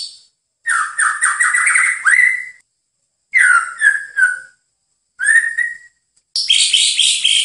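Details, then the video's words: White-rumped shama song as a master recording for training birds: rich whistled phrases near the low register mixed with high trills, delivered in four bursts separated by short silences. "Masteran Terbaik Murai Batu"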